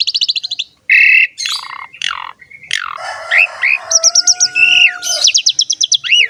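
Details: Asian pied starling song used to train and lure other starlings: a loud, varied medley of rapid stuttering chatter, harsh squawks, downslurred whistles and rising hooked notes, with quick repeated note trains.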